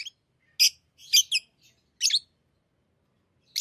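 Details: Loud piercing chirps from pet lovebirds playing with rings, given singly and in doubled bursts, each short and rasping, separated by brief silences.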